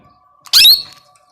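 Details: A tame two-year-old male pet plum-headed parakeet, a talking bird that also whistles, gives one shrill, scratchy squawk lasting about a quarter second, with a faint steady hum in the quiet room behind it.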